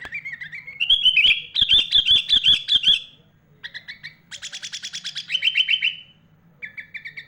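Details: Singing sooty-headed bulbul whose song is packed with mimicked phrases of other birds, meant for training young bulbuls: a rising whistle opens, followed by loud rapid chip series, a buzzy trill and a shorter repeated phrase.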